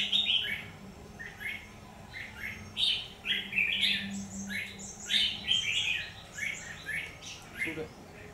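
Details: Red-whiskered bulbul singing in a fight while being trapped, 17 October 2019: bouncy chirped phrases of several notes each, repeated every second or so, with a steady low hum and a short click near the end.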